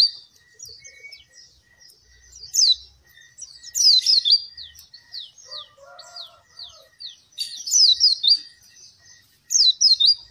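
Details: Oriental white-eye song played to prompt and train captive birds reluctant to sing: bursts of high, rapid descending whistled notes in quick runs, separated by quieter twittering and a faint steady ticking.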